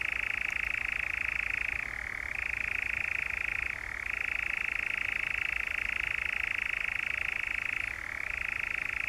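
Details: European Nightjar in the Brecks, Norfolk, on 7 July 2017, giving a loud, continuous reeling churr. The pitch briefly shifts down at intervals of about two seconds before resuming the higher note.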